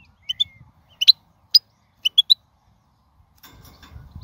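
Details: Wild goldfinch producing short, bright chirps in pairs and triplets spaced about half a second apart, followed by low rumbling noise at the end.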